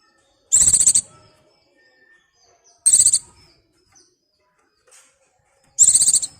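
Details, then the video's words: Mate-calling white-eye in breeding condition, a lure recording: three shrill, rapid, rattling trills about half a second each, arriving every two and a half to three seconds, separated by near silence. "BURUNG PLECI BIRAHI GACOR MEMANGGIL PASANGAN"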